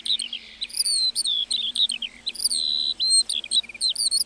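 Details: Lark in meadow song with drawn-out, wavering high whistles alternating with short twittering chirps, delivered as a fluent, unbroken stream.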